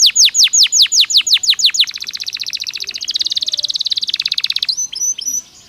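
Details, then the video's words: Belgian canary singing naturally: a run of rapid, descending whistled sweeps, then a fast, even buzzy trill of many notes, ending in a few short high chips. "Som de 1 Hora com Canario Belga Cantando Naturalmente"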